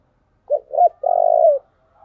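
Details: One cooing phrase from a spotted dove, played to draw in wild doves: a quick pair of short low coos, then a drawn-out vibrating croon sliding down at its close, with no other sounds.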